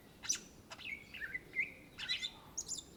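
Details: Singing greater green leafbird, native to Indonesia: sharp high clicks mixed with sliding whistled notes and rising-falling slurs, several quick phrases within a few seconds, low steady background noise.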